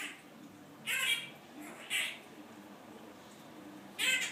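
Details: A pet Quaker (monk) parrot indoors, mimicking overheard human speech, gives three short, raspy, speech-like bursts, two about a second apart and a third after a pause, over a quiet indoor hush.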